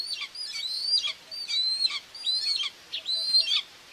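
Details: Common buzzards at a nest in Tiszalök, Hungary, on 2 June 2024, with the mother feeding two chicks: thin, high, wheezy chittering calls in bursts of about one second, rising then slurring down, with short gaps between bursts.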